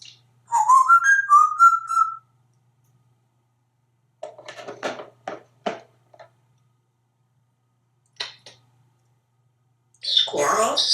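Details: A pet African grey parrot, hatched 1997 and living in Texas, chatters before dinner: a clear, tuneful whistle of a few quick rising and falling notes, then bursts of snapping, clicking and speech-like chatter.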